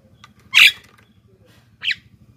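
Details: Black-winged myna (jalak kebo) heard on a lure recording for wild birds and lazy captive singers: one loud, rasping squawk followed by a softer, shorter note, over a steady low buzzing hum.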